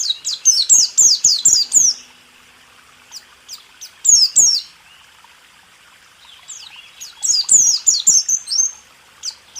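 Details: White-eye giving rool tembak song for training caged birds: bursts of rapid, high, descending chips separated by quiet stretches of several seconds with a few scattered single notes.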